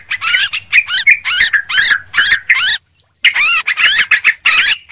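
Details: Yellow-vented bulbul chattering noisily for luring birds: lively phrases of swooping, gurgling notes in fast bursts, a clear gap near the middle, then more loud jumbled chatter.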